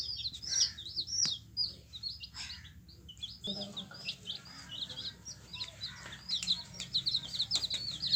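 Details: A brood of yellow chicken chicks peeps continuously, with high, thin chirps overlapping at a quick, uneven pace over a faint low hum.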